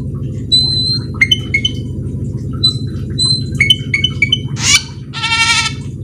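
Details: Cucak keling in full, energetic song used to lure other cucak keling into singing: clear whistled notes and upslurs with a harsh burst near the end, over a steady low droning hum.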